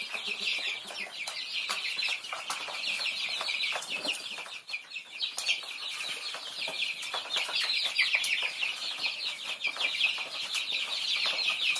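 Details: Group of Thai baby chicks feeding, continuous high chirping peeps from many birds blending into a chorus, with frequent sharp pecking clicks.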